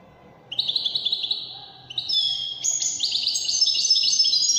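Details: European goldfinch of the Moroccan Wedani singing style, performing Wedani trills: bright high twittering phrases starting after half a second, rising into denser, louder, buzzy trilled runs toward the end, with faint low background hum.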